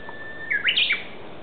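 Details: In woodland at the ecology garden of Aoba-no-Mori Park, a Japanese bush warbler gives a short level whistle, then a rapid, loud, looping phrase of swooping notes that rise high and drop away, over a quiet background.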